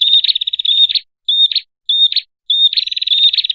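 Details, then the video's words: Lure call of a prinia: a rattling buzzy trill, then two short whistled notes each finished with a brief buzz, then the fast trill again. "Suara Pikat Burung Prenjak terbaru"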